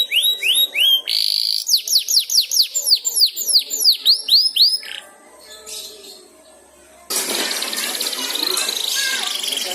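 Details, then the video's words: Young canary practising its song, prompted by another canary's song: a string of repeated downslurred whistled notes, about two per second, fading into a quiet pause, then a broad rushing hiss. "Suara Burung Kenari Belajar Ngeriwik, manjur mantap kena pancingan suara kenari lain"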